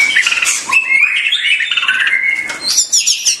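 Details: White-rumped shama song heard as a continuous warbling of overlapping whistles and high twittering notes, with a busy, layered texture.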